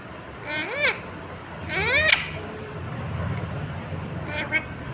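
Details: Talking green ringneck parrot producing two rising-then-falling arched syllables, a brief tone after them and faint clipped notes near the end, over a low rumbling background.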